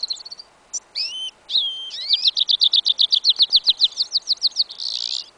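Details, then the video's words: Singing goldfinch–canary hybrid (yellow isabella canary parent) outdoors in a winter field, 11 January 2015: a few separate whistled and slurred notes, then a long even trill of about twenty rapid chirps ending in a buzzy burst. "Прослушка гибрида щегла"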